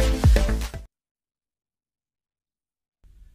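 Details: A short burst of electronic music with a deep bass thump, then silence and a faint low rumble at the end; no animal is heard.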